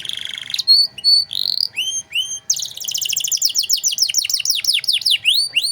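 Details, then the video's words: Canary master song for teaching other songbirds: buzzy opening note, separate high whistles and rising slurs, then a long fast run of downward sweeps repeated several times per second. "Masteran Kenari Gacor Cengkok Mewah untuk Burung Bahan"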